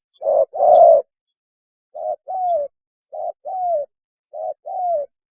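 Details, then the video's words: Spotted dove mating call, recorded for use as a lure; a low loud double coo opens, then three repeated phrases of a short coo followed by a longer, slightly rising-falling coo, roughly every second, in quiet surroundings. "PANGGILAN KAWIN...!!! SUARA BURUNG TEKUKUR TERBAIK"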